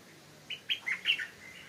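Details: A young wild Stripe-throated Bulbul singing in its own territory in a hillside orchard gives a quick, bubbly phrase of four or five liquid, slightly rising notes in under a second, over a faint steady hiss.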